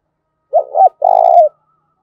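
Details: Spotted dove, with a voice of the 'giọng thổ' style, calling to provoke fighting: one low hollow coo phrase, a short double-noted opening followed by a longer, steady, slightly throbbing coo that falls at the end.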